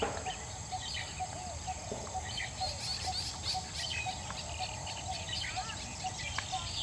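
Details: A Coppersmith barbet calls from the top of a leucaena tree on Sunday evening, 31 August 2014: a steady run of low, hollow 'tuk' notes, about two per second, over a high insect drone and faint chirps from other birds.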